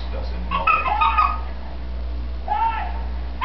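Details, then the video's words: Female pet green-winged macaw talking to herself when she believes the room is empty; a clear, wavering speech-like phrase, a pause, then a shorter arched syllable, over low background hum. "Green Wing Macaw Talks up a storm"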